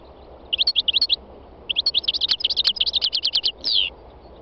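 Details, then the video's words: North African goldfinch, three years old, in full song on a spring day in Tunisia's northwest mountains: fast tinkling twitter, a short phrase, a brief gap, then a longer run of rapid bright notes ending in a drawn-out, slurred buzzy note. "My wild goldfinch singing تغريد مقنين خلوي"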